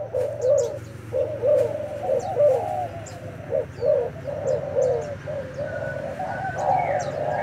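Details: Newly arrived wild-caught decoy spotted dove singing in a fighting match: a steady series of low, hollow cooing phrases roughly once per second, with scattered thin chirps from small birds in the background.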